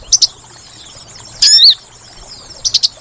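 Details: A single loud, rising-and-falling call of a sooty-headed bulbul, used as a trapping lure. It is framed by a few short, sharp, high chips.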